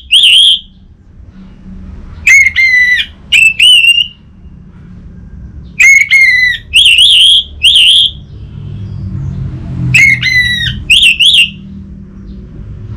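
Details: Song of an orange-headed thrush used to prompt a silent caged bird: clear, strongly ringing whistled phrases in groups of two or three, separated by pauses of about two seconds, with a low steady hum behind.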